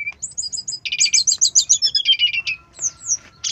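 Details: Brown-chested jungle flycatcher lure song: a few high whistled notes lead into a fast rolling trill of bright notes, about a dozen, that slowly fall in pitch, then two thin whistles and a sharp ending.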